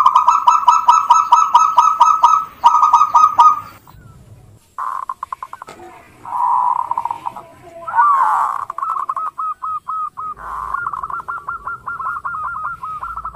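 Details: Local zebra dove song used as a lure for other birds: fast stuttering trills of bright coos, a pause, then a rolling phrase and a run of short repeated notes.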